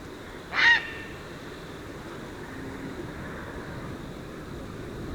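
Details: A lone brief, rasping croak from a tricolored heron in Argentina, followed by several seconds of even background noise.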